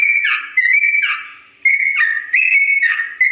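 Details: Long, slow ropel song of a Sooty-headed bulbul, used as a teaching tune for birds to copy. Sustained pure whistles alternate between two pitch levels, broken by one clear pause before the phrases resume.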